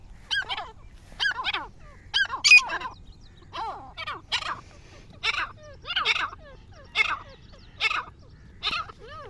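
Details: Black francolin calling outdoors: a series of harsh, buzzy, harmonic-rich notes, some with sharply bending pitch, delivered in short bursts roughly every second over several seconds against a quiet rural background.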